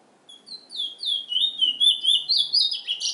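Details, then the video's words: Trinidad bullfinch, the chestnut-bellied seed finch, gives a song that starts softly with spaced whistles. It then builds into rapid, bright, warbling slurs repeated about four times a second, with a high twittery overlay. "Trinidad bullfinch MUSIC"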